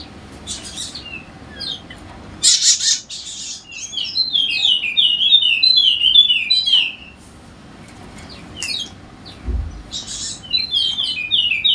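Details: Golden-headed Wallacean white-eye from Sumbawa, recorded as a prompt for lazy birds: repeated short bursts of harsh hissing notes leading into fast high twittering phrases, with pauses and a soft low thud between.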